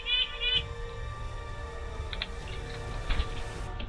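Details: A Red-breasted Nuthatch, identified by the streamer as the bird making the beeping sound, gives short, nasal, high beeping notes, a quick cluster then a few isolated toots, over a steady electrical hum.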